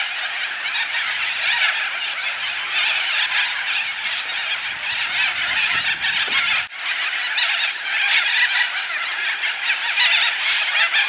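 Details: A flock of corellas feeding on African tulip tree seeds in Coffs Harbour, Australia, makes a continuous wall of harsh, rasping screeches, many birds overlapping without pause, with a brief lull near the middle.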